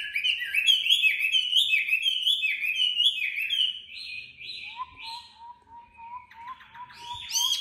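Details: A tame Chinese hwamei in Hanoi in rapid competitive song: fast runs of loud, slurred, high whistles, then a steady series of lower, clipped notes. No other sounds.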